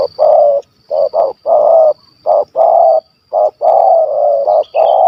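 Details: Big-voiced wild spotted dove from Malaysia, hunted, in the 'kuk 1 2' style. Loud, dense, close coos come in rapid succession, short and long notes running almost together, over a faint high hum.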